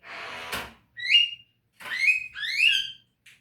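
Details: Javan myna, from a training recording for caged birds: a noisy rasp followed by clear rising whistles, two of them slurred together, with silence between phrases.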